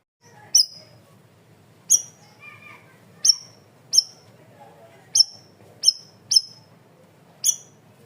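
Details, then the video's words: Cream-vented bulbul in a loud, clear masteran training recording: a run of eight sharp, high, ringing chips with short falling tails at irregular intervals, plus a quieter lower chattering phrase near the start. "MASTERAN BURUNG CUCAK RAWIS/BAYEMAN GACOR SUARA KERAS DAN JERNIH"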